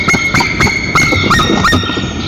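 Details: Wild white-tailed eagle pair at their nest in Nizhnyaya Kama National Park, Russia, on 22 April 2023, calling loudly during the shift change between mates, filmed by a nest camera; sharp, ringing yelps repeat several times in quick succession.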